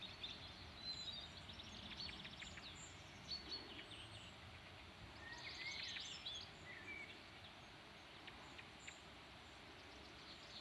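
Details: A single song thrush in a field near Redmires Reservoirs, Peak District, UK, singing clear, high phrases of sharp notes in short bursts a second or two apart, over a steady background hiss.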